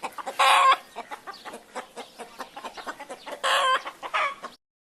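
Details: Hen-like clucking with two loud, harsh, drawn-out squawks, one near the start and one after three and a half seconds, short clucks filling the gaps between them.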